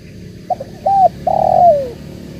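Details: Tekukur (spotted dove) giving a single cooing phrase: two short soft notes, a brief rising note, then a long drawn coo that slides downward at the end, over steady low background hum.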